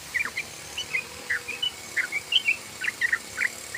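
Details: Yellow-vented bulbul in rapid 'ropel' song style used as a lure: scattered short bubbly chirps, some rising and some falling, at an uneven quick pace over a faint background hiss.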